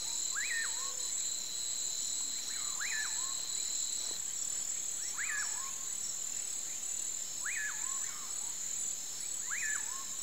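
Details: At sunset, a common pauraque, locally called bacurau or amanhã-eu-vou, gives five clear swooping whistles about every two seconds, each climbing then falling with a short tail, over a constant shrill chorus of crickets and insects.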